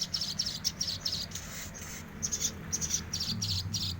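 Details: Sogok ontong bird singing actively: thin, high chirps in quick rapid bursts, repeated through the clip, over steady hiss and a low background hum.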